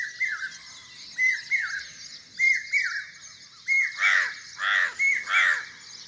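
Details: Bird calls: a series of short, sharp chirping notes that drop quickly in pitch, coming in pairs and triplets. Three harsher, louder squawking calls close the sequence, with a steady hiss in the background.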